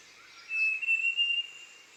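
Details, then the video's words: On Doi Inthanon, Chiang Mai, Thailand, a female Large Niltava sings one clear, steady whistle of about a second over a constant hiss of background noise. "นิลตวาใหญ่ (ตัวเมีย) Large Niltava ดอยอินทนนท์ จังหวัดเชียงใหม่"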